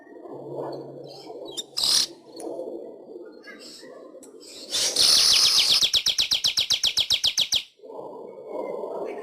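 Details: A weaver's song on a training track for pet birds: a steady low background murmur, then a loud sizzling buzz that breaks into a rapid, regular series of dry ticks, each about a quarter second apart.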